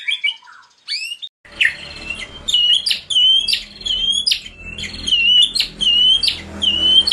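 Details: White-rumped shama (murai batu) delivering an energetic 'bongkar isian' song meant to make silent birds sing: continuous high sweeping whistles and sharp notes over a low background hum.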